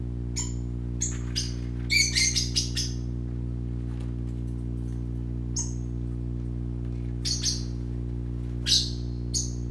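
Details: Young colorful parakeets playing: irregular high, buzzy chirps and a dense cluster of squeaky notes near two seconds, with spaced single calls later, all over a continuous low hum.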